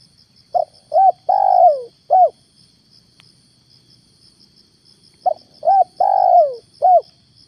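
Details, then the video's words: Morning trapping session with a decoy spotted dove (tekukur), in a stammering style: two phrases about five seconds apart, each of two short coos, a longer downward-sliding coo and a final short note, with rhythmic insect chirps behind. "PEMIKAT TEKUKUR/DERKUKU/DENAK DI TURUNIN TEKUKUR GAGAP"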